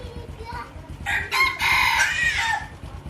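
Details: Crossbred decoy red junglefowl rooster crowing: a harsh, strained crow with a stuttering start that swells into a long, loud, slightly falling drawn-out note over about a second and a half, over a low background rumble.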